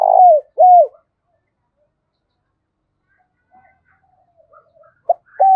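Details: Spotted dove decoy bird, used to lure and excite wild doves, gives two low hooting coo notes with a short gap, then a long silence, then faint fragments and a clipped final note.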